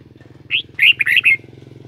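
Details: A short warbling phrase of five whistled notes from a kept Red-whiskered bulbul, set against a pulsing engine rumble.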